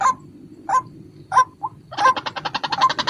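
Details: White-breasted waterhen calling as a lure: a few separated hooked notes, then a quick run of evenly repeated short pulses.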